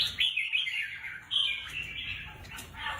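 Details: Red-whiskered bulbul kept as a caged competition bird delivers clear, high, whistled and warbled notes in quick succession, a loud phrase opening, then another strong phrase a second later, with a few clicks.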